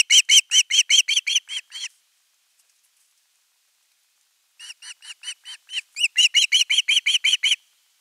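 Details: Osprey chick calling for fish at nest 3 on 10 August 2021. It gives a rapid burst of shrill, piping whistles that tails off, a silent gap, then another series that builds louder and faster.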